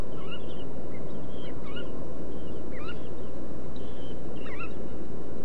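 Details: Red knots, an endangered species whose rufa subspecies occurs seasonally in Brazil, give short, clipped whistles, several birds overlapping in quick flock chatter, over a steady low roar of wind or surf.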